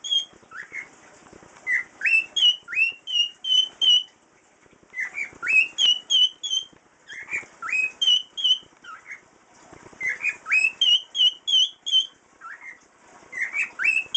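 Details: A 5-year-old pet cockatiel (Nymphicus hollandicus) whistles a learned tune of rising, clear notes in repeated phrases.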